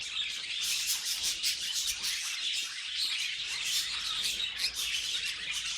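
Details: Several pet budgies warbling and chirping nonstop, their high scratchy notes merging into one busy, even chatter with brief louder squawks.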